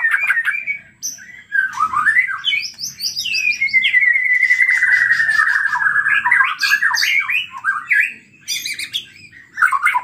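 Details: White-rumped shama, a loud, agitated singer, its song used as a lure to provoke other shamas to sing out their full repertoire: varied chattering phrases, then a long rolling warble sliding slowly downward for several seconds, ending in sharp high notes.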